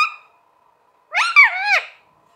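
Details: Talking parrot: a short harmonic tone fades out, then after a pause comes a rich, wavering vocalisation of about a second that bends up and down in pitch before dropping away, heard indoors.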